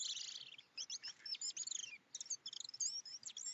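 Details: Two European robins in morning song: thin high warbled phrases with quick twittering notes and sliding whistles, short bursts separated by brief pauses, quiet and somewhat distant.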